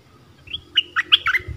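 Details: A soft, high note, then a short run of about five sharp chirps from a streak-eared bulbul over a noticeable low rumbling background.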